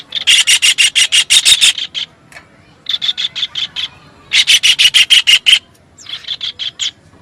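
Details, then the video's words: Loud, grating kingfisher chatter in rapid runs of rasping notes, several bursts separated by short silences, some runs long and intense. "suab noog noj ntseg quaj tiếng chim bói cá"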